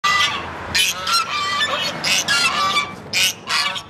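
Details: Geese in Sapa, several honking in loud, harsh bursts about every half second to second, overlapping calls with broad noisy tones and a steady background hiss.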